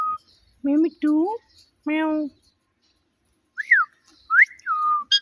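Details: Talking pet parrot producing low, voice-like harmonic syllables in three bursts, then higher whistled upslurs and a falling whistle, indoors with no other sounds.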